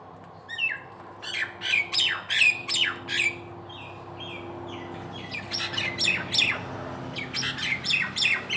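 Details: Nias hill myna from Indonesia, recorded as a song tutor: varied squawky and whistled notes in quick bursts, a short pause, then another lively string of sharp calls against a faint steady hum.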